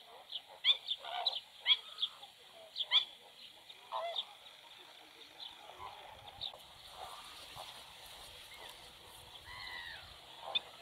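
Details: Black-winged stilt at a nest with two newly hatched chicks and a remaining egg, the chicks feeding unaided; sharp, clipped kek-like notes in quick clusters at first, then quieter, fainter calls with background rustling.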